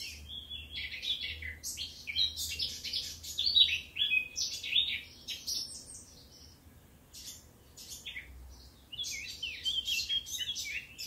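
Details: Eurasian blackcap singing in Occitanie, southern France, 2022: two bursts of lively, varied warbling with sharp whistles and twittering notes, separated by a quiet gap of several seconds.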